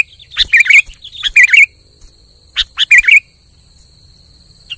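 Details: Sooty-headed bulbul singing vigorously to provoke a quiet bird: three short phrases of sharp, rising-and-falling whistled chirps, each about half a second long and separated by brief gaps, with a steady electronic whine behind.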